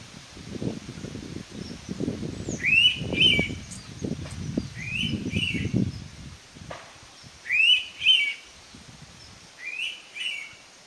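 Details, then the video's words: An Indian pitta (नवरंग) in Kokan, at Abloli-Guhagar, gives a loud, clear two-note whistle, repeated about every two to three seconds, over low rumbling wind noise. "Indian Pitta Call / नवरंग"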